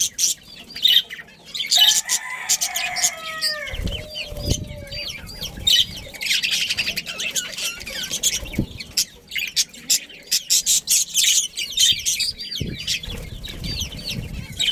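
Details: Budgie family in a breeding colony: constant high chirping and squawky chatter over fifteen seconds, with a longer descending whistled note early on and a few low knocks among the birds' twittering.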